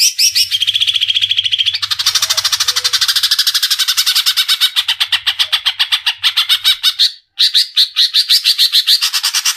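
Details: Cucak ijo, the greater green leafbird, in full vigorous song from Indonesia: a long, dense stream of rapid buzzy pulsed notes, shifting in pitch between phrases, breaking off briefly near the end before resuming.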